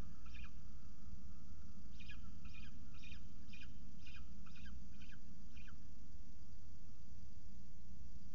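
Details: Peregrine falcon at a university nest camera in Orange, New South Wales, Australia, during a feeding at the nest: a run of about nine harsh, rasping notes, roughly two per second, then silence, over steady broadband hiss.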